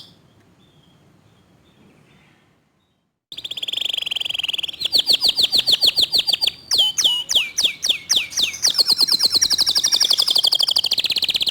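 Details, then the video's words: Local canary in quick 'tembakan' song: about three seconds of near silence, then a sustained whistle, a fast buzzy trill, loud sweeping notes, and a long dense run of rapid high notes. "Kicau Kenari Lokal Tembakan speed rapat Suara Jernih"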